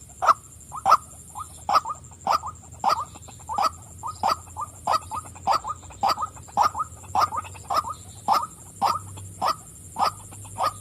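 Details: Female white-breasted waterhen calling: short, harsh notes repeated about twice a second in a steady series for the whole stretch, each with a sharp clicky onset, over a constant faint high-pitched hiss.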